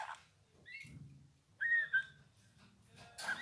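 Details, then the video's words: Eurasian bullfinch giving a single clear, level piping whistle that dips slightly at its end, set between a few faint soft notes and a scratchy burst. "Chant bouvreuil pivoine"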